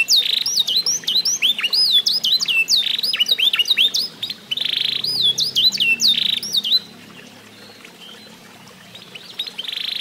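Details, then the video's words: Eight-month-old F1SF canary singing after song tutoring: rapid series of high, clear whistled notes and sharp upward-sweeping slurs, with bursts of buzzy trills, for about seven seconds before fading to quiet, softer phrases near the end. "REVIEW HASIL MEMASTER BURUNG KENARI F1SF UMUR 8 BULAN"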